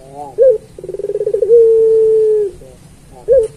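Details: Training song of a puter pelung turtle dove: a short curved coo, a fast even trill, then a steady sustained note for about a second, ending with another short curved coo.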